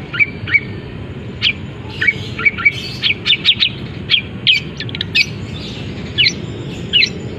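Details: Caged long-tailed shrike, uncovered, delivering a mimicry-laced song of canary, fighting sparrow and kapas tembak: scattered sharp chirps and squeaky notes in loose clusters, some rapid doubled ticks. Constant low background hum.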